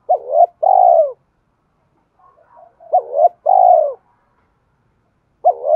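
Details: Repeated phrases of a spotted dove, used to spur decoy birds in training: each phrase is a short wavering note followed by a long, low, downward-sliding purr. The phrases come about every three seconds, with brief faint chirps between.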